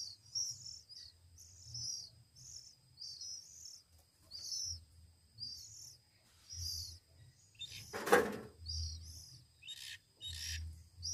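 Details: Week-old Oriental magpie-robin chicks begging while hand-fed: thin high squeaks in scattered bursts, one loud broadband clatter midway, and a soft low hum throughout.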